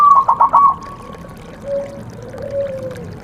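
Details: Zebra dove (perkutut) call used as a lure to coax a reluctant bird into singing during the rainy season: a quick run of trilled, pulsing coos, then two long, soft, level coos lower in pitch.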